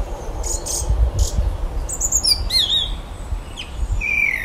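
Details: A male Common blackbird singing in the evening at the bottom of a garden in his territory gives high, electronic-sounding notes: a few scratchy bursts, then thin sliding whistles and a steady high tone, over a constant low rumble.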